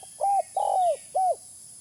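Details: Used as a lure, this spotted dove phrase runs as a level mellow coo, a longer vibrating coo sinking at the end, then one arched coo, over faint constant hiss.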